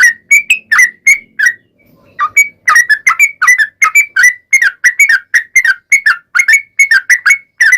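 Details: Yellow-vented bulbul giving a long, energetic song used to prompt other bulbuls to answer: steady series of liquid, downslurred whistles about three per second, with one brief pause near the start.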